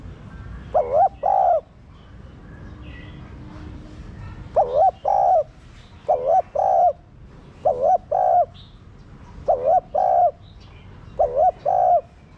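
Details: Repeated coo phrases from a spotted dove, meant to rouse captive doves: seven double-note phrases, a bent short note then a longer flat coo, at fairly regular intervals, with faint chirps of other birds.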